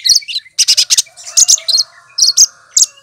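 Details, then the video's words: Lesser green leafbird (cucak kinoy), a green songbird imitating other birds, pours out fast bursts of high, scratchy chirps and trills in quick clusters with brief pauses, a faint lower hum underneath. "Burung Cucak Kinoy!!!Masteran Pintar Menirukan Suara Burung lain"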